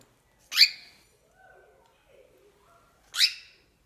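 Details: Pet female cockatiel indoors, angry at a glass cup: two loud, harsh screeches about two and a half seconds apart, each a sharp rising burst. Faint soft sounds fill the quiet gap between them.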